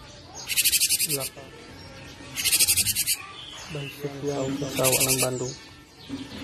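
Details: Cinereous tit recorded for training and luring other songbirds: three dry, buzzy pulsed rattles about two seconds apart, with lower, voice-like harmonic tones between them.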